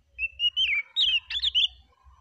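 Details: Oriental magpie-robin singing calmly: a steady whistled note, then a run of rich warbling, slurred phrases and quick trills, over faint low thumping in the background.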